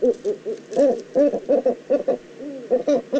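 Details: Eurasian eagle-owl in the Eifel, 9 September 2014: a rapid, uneven chatter of short nasal notes, about two or three per second, with one longer gliding note partway through.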